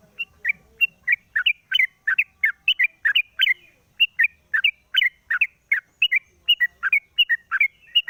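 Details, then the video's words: Caged sooty-headed bulbul singing at morning after its cover is opened, intended as a lure; long sequence of sharp, lilting paired chirps with a slight wavering swoop, repeated briskly and steadily over a silent background. "pancingan burung trucuk di pagi hari buka krodong bunyi"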